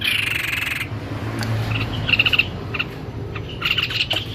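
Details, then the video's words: White-necked babbler recorded as a tutor recording for training songbirds, giving short high chirps and a quick burst of four clipped notes, with scattered brief calls over a low background hum. "SUARA TEPUS LEHER PUTIH GACOR"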